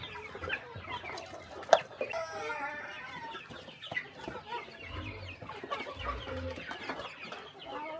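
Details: Chickens on a small countryside farm during a quiet morning feeding, with overlapping clucks and short harmonic calls from several birds, a sharp knock near the start and low rumbling underneath.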